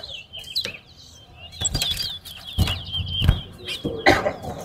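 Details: Towa towa in a singing contest at Lamaha bird ground, two birds competing: continuous rapid high twittering with quick up-and-down warbles, punctuated by several dull knocks and rustles.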